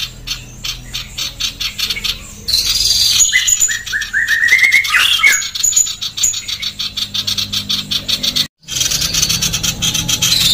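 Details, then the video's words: A female Sooty-headed bulbul in full, persistent song, fast dense chattering of harsh high chirps at about three per second, with a short run of rising whistled notes midway and a brief silent break. "masteran burung sirpu betina gacor SPEED RAPAT + KASAR"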